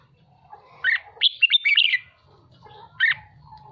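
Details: Red-whiskered bulbul kept as a songbird and being trained, fired up: one quick cluster of clear chirped notes, a pause, then a single bright note, with low humming in the background.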